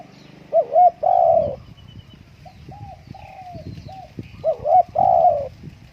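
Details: Home-kept Spotted dove on a blustery day: two loud phrases of a quick double coo and a long, rich coo, with softer single coos between, over a low rumble of wind.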